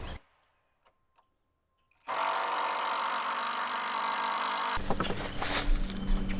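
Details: Near silence with a few faint clicks, then a loud, steady broadband mechanical whir like a power tool starts, growing rougher and louder toward the end.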